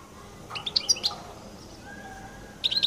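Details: European goldfinch of the Collo type, noted for its distinctive song, gives a short burst of high, scratchy twittering notes. A brief phrase follows near the end over a quiet background hiss.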